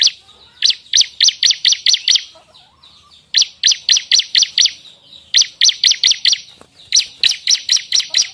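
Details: Bar-winged prinia song meant as a trapping lure and songbird tutor: three bursts of rapid, evenly spaced high buzzy notes, about seven per burst, separated by brief pauses.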